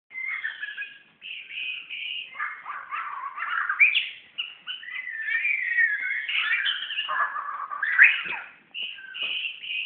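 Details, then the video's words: Magpie-robin in Brunei, 2013, singing at its own reflection in a mirror: a rich, varied run of whistled phrases, chirps and warbles, mostly high and sweet, with brief pauses between bursts. "Burung murai vs cermin"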